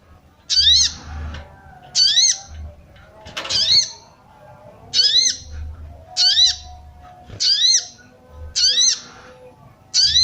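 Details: Female sooty-headed bulbul calling to arouse males: sharp chirping notes with rising harmonic sweeps, repeated about every second in short bursts, over faint low background rumble.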